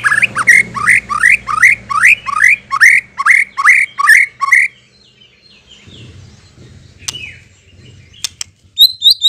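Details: White-rumped shama song played as a lure to draw a response: a fast run of repeated rising whistled notes for about four seconds, then a quiet pause and a few high thin notes near the end.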